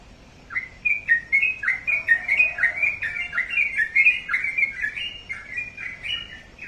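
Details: Sooty-headed bulbul kept as a pet bird, singing a lively run of short chirpy notes that rise and fall, closely packed for about six seconds, over a faint low hum.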